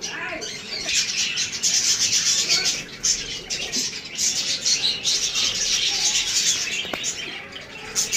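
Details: Australian parrots fighting over a female: a continuous dense, scratchy high chatter of overlapping chirps and warbles, with brief pauses and occasional wing flutters.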